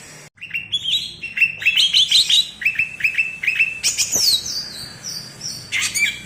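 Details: Cucak ijo from Alas Purwo, Banyuwangi, in bebeci song: a chattering run of short repeated mid-pitched notes, a loud falling whistle near the middle, and a final brief phrase.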